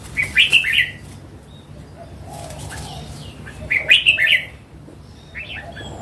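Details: A wild mature red-whiskered bulbul repeats its short, bubbly phrase twice, about three seconds apart, each of four or five quick slurred notes. A softer fragment follows near the end over a low hum.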